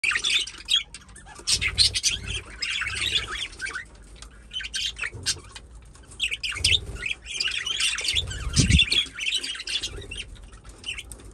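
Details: A flock of pet budgerigars playing in their aviary, around a nesting box, chatters with busy, scratchy warbles and sharp squawks.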